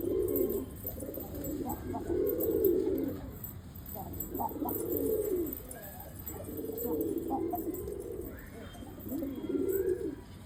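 A Ghafuri pigeon coos in low, soft, rolling phrases repeated every couple of seconds.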